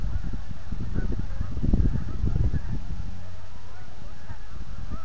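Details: Geese in their thousands departing the Rideau River south of Manotick in autumn; muffled low honking swells midway then fades into a steady hum.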